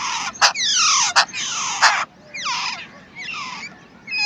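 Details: Fed by their parent, wild babbler chicks utter sharp clicks and long falling rasping squeals, followed by quieter descending calls.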